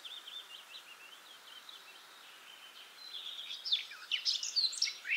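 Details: Eurasian blackcap song, starting as a faint, hurried chatter of high notes and building into a louder burst of varied, sweeping whistles near the end.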